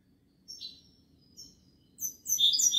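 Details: Goldfinch gives a few separate short chirps and a slurred note, then begins a rapid tinkling twitter in the final second.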